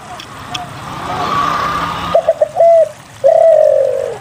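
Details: Spotted dove song, used to lure quiet doves into singing. A rushing noise comes first, then stuttered notes and a long, descending coo.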